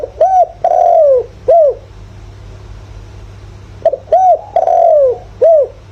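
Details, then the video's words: Lure spotted dove with the favoured 'giọng thổ' voice; two strong cooing phrases about four seconds apart, each of an arched coo, a long descending coo and a short closing coo, over quiet background. "chim cu gáy mồi, chim cu gáy gọi, chim cu gáy giọng thổ, tiếng chim cu gáy giọng hợp bổi."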